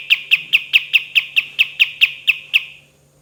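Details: Olive-winged bulbul (kapas tembak), a bird singing actively for song training: about twelve quick, even, sharp chipping notes in rapid succession, slowing and ending after two and a half seconds, quiet background hum.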